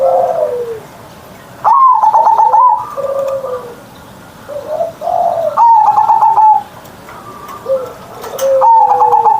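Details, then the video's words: Zebra dove in a cage, morning singing with a big ngerot voice: stuttering clicked openings leading into long rolling coos, then lower falling phrases, with a second dove answering at times. "Perkutut Manggung Gacor Suara Besar"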